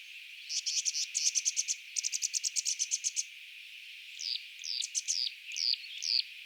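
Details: Tawny-flanked prinia (Prinia subflava) in Kruger National Park, South Africa, calling: two fast bursts of high, dry, buzzy notes, then a few thin, sharp descending chips.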